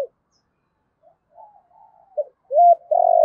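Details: Decoy spotted dove calling to lure wild doves, recorded directly from the caged bird. Faint murmuring coos build into a short note, a loud arched coo, and a long throbbing low coo at the close.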